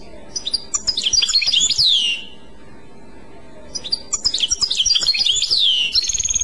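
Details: European goldfinch singing in the Clochette song style: two bright, rapid twittering bursts full of high tinkling and buzzy notes, each ending in a descending slur, separated by a short pause against a quiet background.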